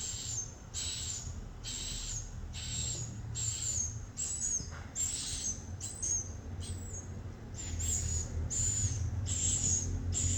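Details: Swiftlets chirp in a busy series of raspy, high-pitched notes, some overlapping or clipped short, above a steady low rumble.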